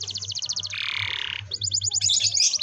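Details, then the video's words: Canary in full song, a long rolling performance meant to prompt young canaries to sing: a fast, evenly pulsed trill, then a dense buzzy roll, then more rapid trills and twittering notes. "kenari gacor ngerol panjang ini 100% ampuh buat PANCINGAN KENARI paud belajar bunyi/malas bunyi"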